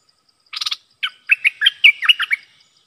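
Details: Red-whiskered bulbul in a cage, singing to draw in wild birds: a short rasping burst, then a lively run of about nine clear, bouncing chirps in quick succession, recorded in September 2021.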